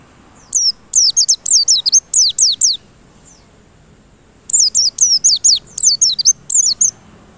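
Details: Lure song of a white-eye for provoking stubborn, regular singing: two long runs of piercing descending notes, each about two seconds, split by a silent gap, with a faint constant high tone behind.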